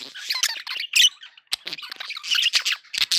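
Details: Happy pet budgerigars in a short burst of chatter: buzzy warbling, sharp squeaks and scratchy squawks crowding together, with one brief pause midway.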